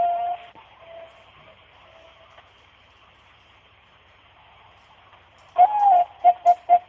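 Zebra dove cooing: a soft low coo, a pause, then a sliding note followed by three quick, evenly spaced soft coos over a faint hiss.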